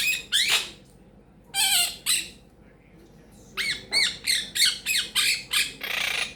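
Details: Pet female Quaker parrot indoors, a talking bird whose repertoire includes peekaboo and bacon pancakes phrases; harsh, bright squawks in bursts, with a sweeping call early, then a rapid run of about eight clipped squawks near the end.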